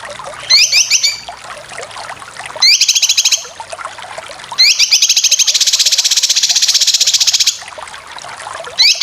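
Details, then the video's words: Cucak kinoy singing full besetan, recorded as a masteran for competition birds: short rising chattery phrases, then a long fast even trill of rapidly repeated harsh notes lasting about three seconds. "Masteran full besetan cucak kinoy cocok untuk burung lomba"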